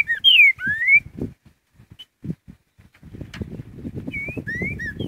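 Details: Green-winged saltator (trinca-ferro) giving its "curricutil" song type: a short run of clear whistled slurs, falling then rising, opening the clip, then a quiet gap with thumps and low rustling before fainter whistles return near the end.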